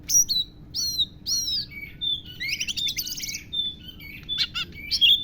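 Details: Oriental magpie-robin giving lovebird-imitating song: drawn-out whistled downslurs, a dense buzzy chattering trill, then sharp high chirps, with a persistent low hum underneath.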